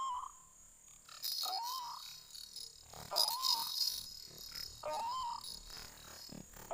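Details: White-breasted waterhen calling in a forest: low, nasal, slightly rising notes repeated about every one and a half seconds, with a steady high insect buzz and scattered rustles behind.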